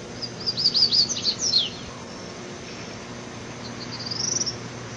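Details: Mateiro-style song of a rusty-collared seedeater: a rapid run of high, bright whistled notes falling into descending slurs, then after a pause a brief, thinner rising phrase; faint steady hum beneath.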